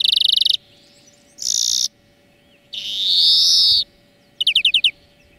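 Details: Greenfinch song made for teaching other birds: a fast chattering trill, then a harsh buzzy wheeze, a longer drawn-out nasal wheeze, and finally a short run of five clear sliding notes.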